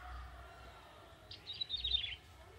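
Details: Forest-caught young male bar-winged prinia singing briskly: a single fast, high, twittering phrase of clustered chirps lasting under a second, over faint low background hum.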